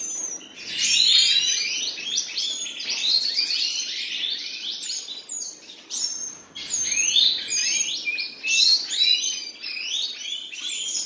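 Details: Song from a pair of common nightingales, delivered in distinct bursts of rapid, varied notes: sweeping slurs, chattering trills and thin high whistles, separated by short gaps of one to two seconds.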